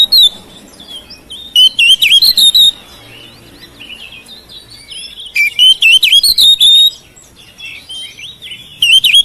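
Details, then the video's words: Home-kept oriental magpie-robin (kacer) song meant to trigger singing in mute birds: loud warbling phrases of twisting whistles and harsh notes, split by quiet gaps of a few seconds. "KICAUAN KACER RUMAHAN MEMANCING SUARA KACER YANG BISU MACET"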